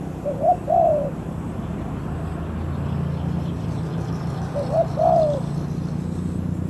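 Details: Decoy spotted dove calling to lure in wild doves: two low, mellow cooing phrases several seconds apart, each a short note then a longer curved coo, over steady engine-like rumble.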